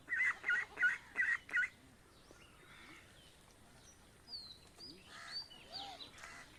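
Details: Indian village ducks with ducklings going to the pond give six quick, harsh nasal calls in a steady run; afterwards quieter, scattered whistles from other birds fill the background.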